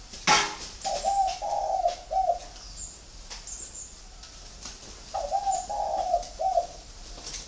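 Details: Spotted dove coo from a captive flock in Ba Vì district, Hanoi: two soft three-part phrases, middle note longest, with a sharp clatter at the start and occasional high chirps in the background.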